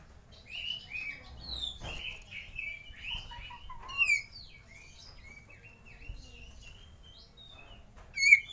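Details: Oriental magpie-robin song used to lure other birds into singing: a rambling sequence of softer whistles, slurred chirps and twitters at moderate volume, with a sharp loud note at the close and light background hiss.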